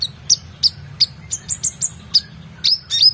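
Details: Oriental magpie-robin singing vigorously as a tutor for competition birds: evenly paced series of high, clear whistled notes, about three per second, some slurred, ending in a louder double note.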